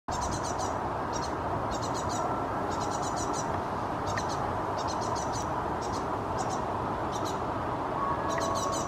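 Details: A great tit fledgling hopping in a tree in Helsinki, Finland, in July 2017 gestures with its wings, with a parent close by. It gives high, thin notes in quick clusters of two to four over a steady low rumble.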